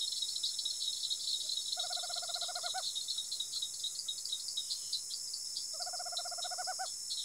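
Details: Tropical screech owl in rural Araçatuba, São Paulo, giving two rapid purring trills about a second long, each ending in a few stronger notes, four seconds apart, over a steady high insect chorus.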